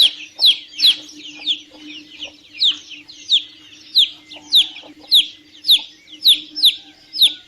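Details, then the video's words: Chicks calling with high, thin peeps that slide downward, around fourteen of them at an uneven rhythm, some closely paired, over a quiet low hum. "CANTO E SOM DOS PINTINHOS - PINTINHO PIANDO"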